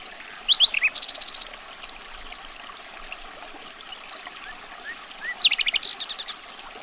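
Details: Common nightingale song: swooping whistled notes lead into a fast, buzzy rattle of repeated pulses, then a long quiet gap before a similar phrase of slurred whistles and a rapid trill, with soft hiss behind.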